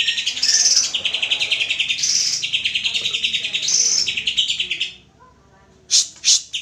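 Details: Greater green leafbird song played as a lure to prompt another bird to sing: a dense, rapid, high chattering warble running continuously for about five seconds, then a pause and a few sharp isolated notes.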